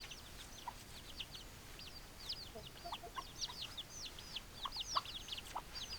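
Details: Chickens calling together: many overlapping high, short peeping chirps, some rising and some falling, with a few lower clucks beneath and a steady hiss behind.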